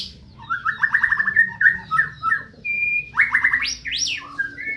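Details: White-rumped shama from Medan producing rapid rattling trills of mid-pitched notes, a steady level whistle, then steep rising and falling sweeps and more trills.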